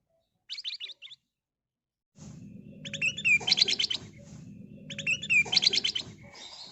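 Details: ['Lure song of a kutilang emas bulbul: fast bursts of bright chirping whistles with slurred flourishes. There is steady low hum in the background.']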